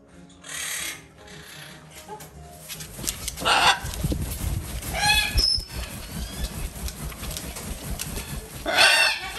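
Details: A captive-bred blue-and-yellow macaw (Ara ararauna) chick from a domestic breeder gives a few harsh, raspy squawks spaced several seconds apart, over a low indoor hum with faint background music.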